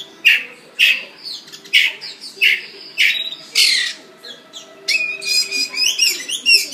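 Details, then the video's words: Magpie singing in Singapore, said to be happy: a series of loud raspy squawks about every half second to a second, followed by a rapid stream of sweet whistled and warbled notes. A faint low hum sits underneath. "Magpie in Singapore"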